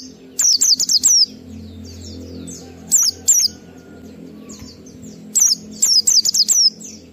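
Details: Oriental white-eye in ngalas song, used as a lure for untrained and long-kept birds: short trains of four to five shrill, falling chirps separated by gaps of quiet low hum, a few single notes between.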